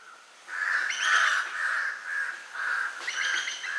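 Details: A Legge's hawk-eagle (Nisaetus kelaarti) feeding on prey it captured in a backyard in Sri Lanka gives shrill, drawn-out squealing notes in a steady run of about two per second, with faint rustling behind.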